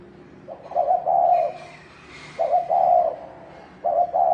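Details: Cooing from a spotted dove in the thổ đồng style, used to excite males to fight: two-part hollow coos, a stuttered start sliding into a long soft note, about three phrases with quiet gaps.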